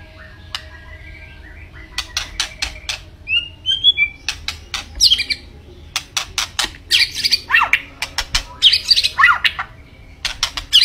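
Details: White-rumped shama in full, energetic song: sharp click-like notes mixed with short whistled phrases, rising squeaky notes and buzzy bursts, delivered in dense quick runs.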